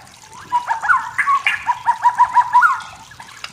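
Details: Wild forest white-rumped shama singing to provoke rivals, a steady, evenly spaced series of about a dozen low, liquid repeated notes, like a gentle bubbling trill, with a few higher accents mixed in.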